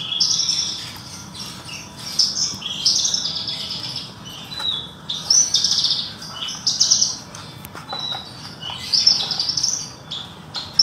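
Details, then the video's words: Pet Horsfield's bush lark sunbathing after its bath delivers a lively high song of buzzy trills and chirps in bursts of one to two seconds, separated by brief quiet gaps, with a faint click. "Branjangan Parva bunyi di bawah saat Penjemuran"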